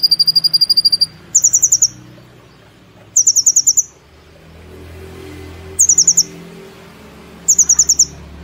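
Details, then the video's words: Caged brown-throated sunbird, a contest favourite, delivering platuk and cililin phrases in rapid nembak bursts: a steady pulsed series, then four separate shrill chattering trills spaced through the recording over faint low background hum. "Kolibri Ninja Gacor Nembak Platuk Cililin Sejalur"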